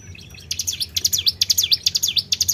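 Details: Tribel bird lure call: a fast, high run of sharp chirps and swooping whistled notes that dip and rise again, several each second, over a faint low hum.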